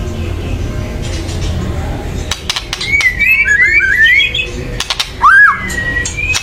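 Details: White-rumped shama in loud, excited chatter used to raise other birds' emotion so they sing: clusters of dry clicks around warbled whistles, then a swooping upward whistle and a long even note.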